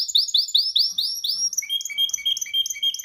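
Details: A canary during singing training sings a run of rapid, high, arched whistles, about five a second, then shifts into a faster, ringing trill of doubled notes.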